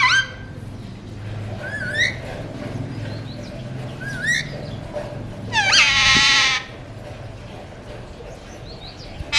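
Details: Alexandrine parakeet of a colour mutation, kept as a pet talker, lets out one long grating screech lasting about a second, amid faint chirps and whistles from other birds.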